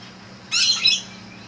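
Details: Sulphur-crested cockatoos hanging around a house front in the afternoon; one harsh, raucous screech lasting about half a second bursts out over quiet background.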